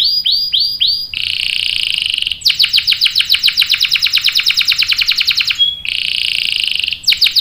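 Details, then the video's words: Singing canary used as a lure: looping whistled notes, a steady high tone, then a long rapid rolling trill of clicks, a pause and more quick trills. "PANCINGAN KENARI GACOR cuit cuit bikin NYAUT ikut BUNYI NGEROL PANJANG ¦ CANARY SINGING"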